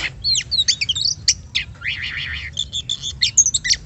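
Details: Lure song of an Oriental magpie-robin for provoking other birds to sing: tumbling sweet whistles and chips, then a buzzy rapidly trilled passage midway, before more bright high notes; quiet background hum.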